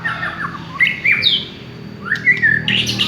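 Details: Village white-rumped shama song: clear whistled slurs and upswept notes mixed with short harsh rasping bursts, in broken phrases.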